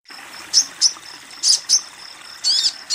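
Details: Female sogon calling to a male, kept for therapy of a sogon that has stopped singing: sharp high chirps with short downward sweeps, given singly or in pairs about every half second, over a faint steady high hiss.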